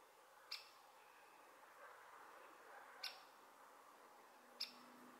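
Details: Great spotted woodpecker perched on a telephone pole in Sardinia, filmed at full zoom with a Sony RX10 III camera: three sharp, short, high 'kik' calls spaced irregularly over five seconds, against a faint steady background hum.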